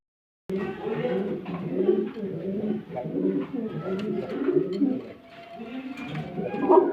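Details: Pigeons cooing at a breeding farm in Bhawal Mirzapur, Gazipur, Bangladesh: many overlapping low, throaty rolling coos indoors, with faint voices and scattered clicks behind.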